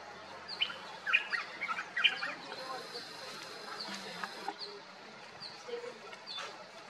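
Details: A yellow-throated bulbul (Pycnonotus xantholaemus) in forest at Hampi, Karnataka, India, in November 2023 gives quick, bubbly chirps in short bursts for the first few seconds, then scattered single notes over soft background hiss.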